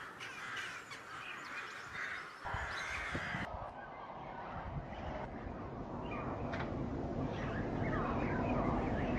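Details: Carrion crows calling in the morning in a city courtyard give a quick rough burst of harsh, grating caws over a steady low city rumble, with faint higher chirps of smaller birds, perhaps blackbirds or sparrows, later.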